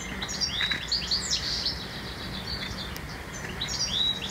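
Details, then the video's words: Blyth's reed warbler singing in a town near a busy railway, recorded by digiscope: slurred, high twittering and whistled phrases delivered in quick succession, with a steady low background hum. "Blyth's Reed Warbler"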